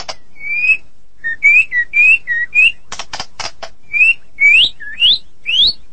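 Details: White-rumped shama from Medan, a strong singer, giving clear upslurred whistles, each about half a second long, broken by a short run of harsh rasping bursts.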